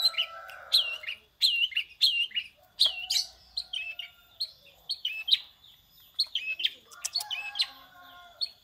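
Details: Long-tailed shrike giving prinia-style mimicry: bright, high, curling chirps in quick bursts, mixed with a few harsh scratchy notes and brief pauses, plus faint lower tones underneath.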